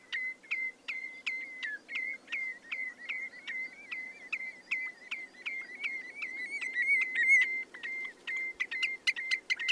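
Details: Redshank song of steady, ringing whistled notes repeated rapidly, roughly two to three per second, some notes with a sharp upward flick, building slightly louder toward the end over soft background hiss.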